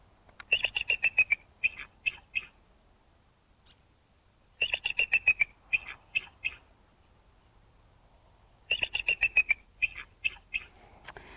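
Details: Bald eagle (Haliaeetus leucocephalus) call, surprisingly weak for so large a bird: three bouts of thin, high chittering, each a rapid descending twitter followed by a few separate squeaky notes, about every four seconds.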